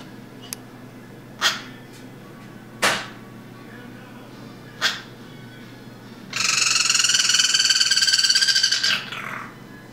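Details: Captive pet Guira cuckoo calling from a small temporary cage gives three short, sharp notes, then a harsh, high, rattling call lasting about two and a half seconds before breaking off.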